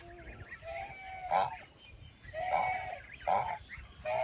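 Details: Goose giving a few drawn-out nasal honks, spaced unevenly with quiet gaps between them, over low background rumble.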